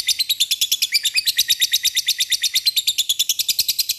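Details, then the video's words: Lovebird's rapid ngekek chatter, used as a lure to call rivals: dense, shrill, high-pitched chirps repeating steadily, about three or more per second, throughout. "Pancingan lovebird mudah di respon lawan memanggil lawan ngeekek"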